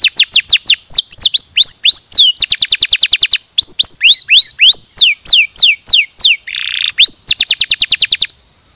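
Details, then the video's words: Canary singing for a training recording aimed at other canaries, alternating rapid level trills with loud down-swept and U-shaped whistles, a short harsh buzz near the end, then a final trill and silence. "Masteran Kenari 100% Suara Jernih"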